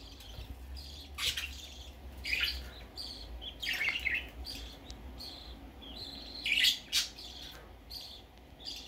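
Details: Baby budgerigar going out for the first time, calling with sparse, sharp chirps, some paired, spaced several seconds apart against a quiet background hum.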